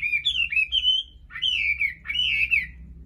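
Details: Chinese hwamei singing three clear slurred whistled phrases in quick succession, each wavering up and down, with brief gaps between.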